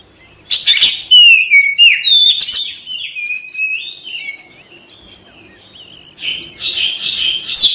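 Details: White-rumped shama kept as a cage bird, loud sequence of slurred whistles, sharp chips and harsh notes, fading into quiet soft twitters, then resuming with buzzy rasping phrases at the end.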